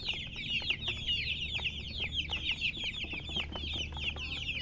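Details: Colored chickens, called murgi, chirping: a dense, continuous chorus of high, thin peeps from several birds overlapping throughout, each short and slightly falling, over a faint low hum in an indoor setting.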